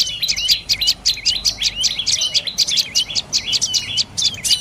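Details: Rapid, high-pitched chittering from a dark-necked tailorbird: bursts of sharp twittering notes run together in uneven clusters, with tiny gaps between groups and a soft low rumble underneath.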